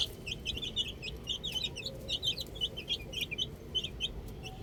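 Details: Young chickens at play with a ball keep up a busy chorus of quick, high, slightly bending peeps, several birds calling at once almost without pause.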